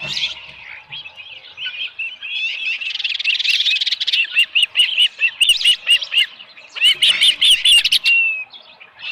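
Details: Osprey calling at a ranch nest while a small live fish is there, morning of 13 July 2018; a dense chatter gives way to a run of clear, evenly spaced whistled notes, about two a second, then a brief slurred whistle.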